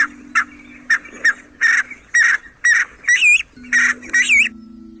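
A pheasant gives harsh, rasping bursts, about ten in five seconds, some ending in squeaky upward whistles, over a steady low hum.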